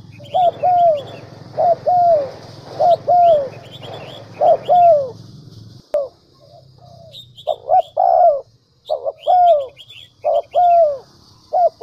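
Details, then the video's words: Decoy dove call used as a lure to get wild doves cooing quickly: low paired coos, a short note then a longer down-slurred coo, repeated about every second, with high chirps from small birds and a low hum in the first half. "Tiếng cu mồi đỉnh nhất 2019"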